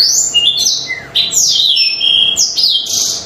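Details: Intense song of a black-throated canary, played as a lure for birds: high sliding whistles, some sweeping down steeply, mixed with buzzy trilled phrases and one thin sustained tone, delivered without pause.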